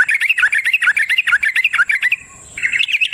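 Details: Yellow-vented bulbul in natural surroundings with a dense, rapid bubbling warble of jumbled chirps, a short pause, then more quick notes; a constant thin high tone in the background.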